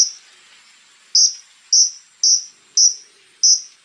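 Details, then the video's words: Konin singing in a rough 'tembakan' style: sharp, very high piercing notes, five evenly spaced bursts about every 0.6 seconds after a short opening note, on a quiet background. "SUARA BURUNG KONIN TEMBAKAN KASAR GACOR FULL ISIAN"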